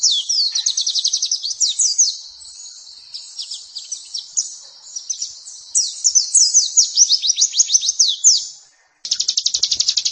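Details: White-eye (pleci) masteran recording used for training birds: rapid high sweeping notes in fast trilled runs, with a brief gap before a steady buzzy trill near the end.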